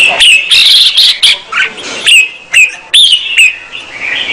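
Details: Singing female red-whiskered bulbul, kept to stimulate the male; a sustained warbled phrase followed by sharp whistled notes with high rising flicks, repeated at an uneven pace.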